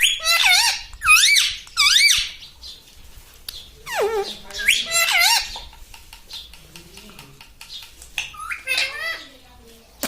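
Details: Pet ring-necked parrot indoors, calling in loud, harsh, wavering squawks that rise and fall in quick bursts of two or three, with quieter chatter and faint room noise between.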